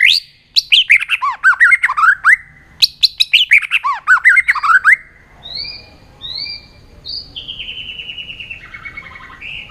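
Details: White-rumped shama in fired-up competitive singing with many voices: a dense burst of rapid, varied, sweeping notes for about five seconds, a brief pause mid-burst, then softer, drawn-out clear whistles trailing off.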